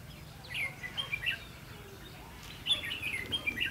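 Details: Red-whiskered bulbul at a long-pole trap with a decoy bird, recorded 22 October 2016; two bursts of quick, bright whistled notes with sharp upward flicks, separated by a quiet gap, over a low rumbling background.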